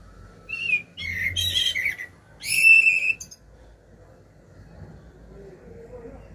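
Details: Common blackbird singing short fluty whistled phrases, two rich warbling bursts followed by quiet with a low background rumble.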